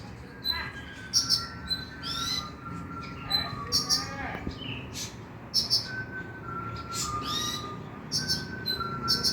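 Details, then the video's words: Night-singing lure for a kept brown-throated sunbird: rapid high chirps mixed with thin, level whistled notes and twittering sweeps, steady through the clip, over faint low background noise. "PANCINGAN KONIN AGAR BUNYI MALAM HARI"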